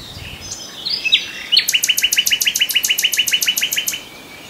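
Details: A common nightingale sings a brief whistled introduction, then a fast, steady rattle of about twenty sharp repeated notes over two and a half seconds.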